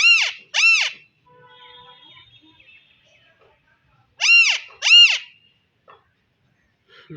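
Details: Alexandrine parakeet calling in two pairs of loud, raucous, arch-shaped screeches separated by a quiet pause of about three seconds, with faint soft sounds in between.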